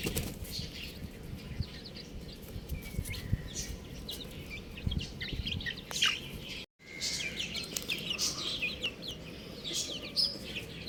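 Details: Scattered high peeps from buff chicks, thin and sliding, some louder close calls, over a soft hiss with a brief dropout partway through.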